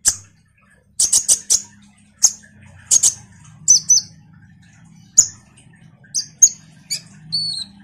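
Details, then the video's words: Common iora chattering as lure song for kolibri ninja birds: a fast cluster of sharp high notes, then spaced chips and brief doubled whistles, ending with thin slurred whistles over a steady low background hum. "Semua burung KOLIBRI NINJA PASTI MERESPON suara PANCINGAN KONIN GACOR NGOBRA ini"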